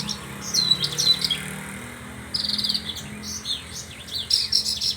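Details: Horsfield's bush lark song of high whistled notes and a fast trilled burst, broken into short phrases with pauses, over a soft low hum.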